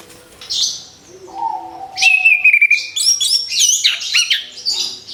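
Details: Orange-headed thrush just past moulting, ready to sing: a soft opening note, then a long level whistle leading into a burst of fast, varied high chirps and trills.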